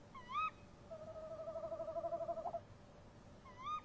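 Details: Tawny owl pair at a nest box around 03:07, March 2015, calling back and forth: a sharp rising female kewick, then the male's long quavering hoot, then another kewick, over a soft background hiss.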